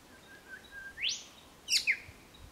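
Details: Spotted Pardalote pair choosing a nest site in early September 2016 on the Chiltern Track, Ku-ring-gai Chase National Park, NSW: soft low whistles, then a sharp rising high sweep and two quick bright descending notes.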